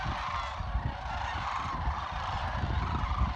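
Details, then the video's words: Sandhill cranes trill and chatter together at Jasper Pulaski Fish and Wildlife Area. Many rolling calls overlap into a continuous hubbub over a loud low rumble of wind or handling noise. "Sandhill cranes trilling and chatting"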